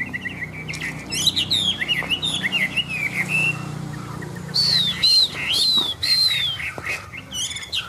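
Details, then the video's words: Chinese hwamei kept in a cage sings on a wet, overcast day. Varied rapid whistles and trills lead into loud, high slurred notes repeated in a bouncing series, with a faint low background drone. "Họa mi xòe, Thuần đẹp mau mỏ hót hay"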